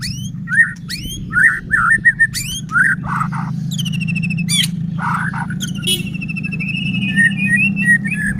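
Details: Actively singing white-rumped shama, played to stir other shamas into song and agitation: sharp rising whistles, clipped chattering notes, harsh rasping bursts, then a sustained trilled run of repeated notes, all over a low droning hum.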